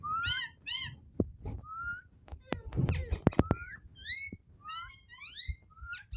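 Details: Pet ringneck parrot talking, giving quick bursts of layered, wavering voice-like notes and short whistled slides, broken up by sharp clicks and soft thumps.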